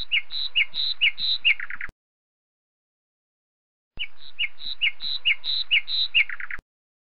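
Northern lapwing giving rapid, wheezy alternating high and slightly lower notes, ending in a lower run. The same phrase is heard twice, with a silent gap between.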